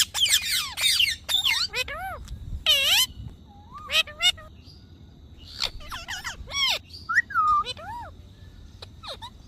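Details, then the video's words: Parrot talking: rapid, slurred voice-like phrases with falling and rising sweeps, short harsh bursts, and a few clicks between phrases. "Funny Parrot Talking Video"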